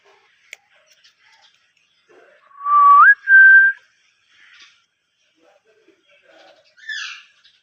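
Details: Talking Ringneck parrot: one clear two-part whistle, a low held tone that jumps up into a higher level tone, followed by quiet pauses and a short harsh squawk near the end.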